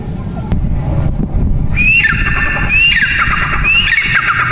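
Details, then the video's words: Partridge, teetar, calling with a few loud harsh rising squawks from about two seconds in, repeated roughly every second, over low rumbling background noise. "Teeter Ki awaaz | Teetar| Teetar sound | Teetar ki awaz | Irani Teetar ki awaz"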